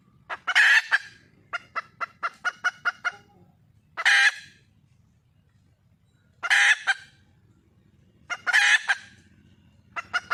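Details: Wild red junglefowl hen searching for a mate alternates loud, hoarse squawks with runs of rapid clucks, giving about four squawks over ten seconds.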